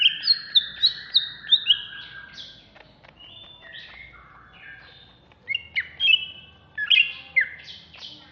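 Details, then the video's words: Contest-ready caged greater green leafbird, Alas Purwo type, Jatiasih, Bekasi, sings an agitated ngamuk sequence: quick repeated falling whistles, a varied twittering middle passage, then loud clustered chirps and slurred phrases. "Cucak Hijau Alas Purwo Ngamuk"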